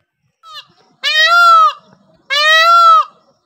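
A peacock gives two loud, drawn-out nasal wails about a second apart, each with a slight arch in pitch, after a brief shorter note.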